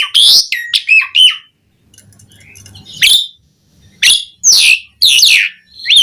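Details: Asian pied starling song as training master: loud whistled and harsh notes at the start, a quiet gap with faint low hum, then separated sharp bursting calls.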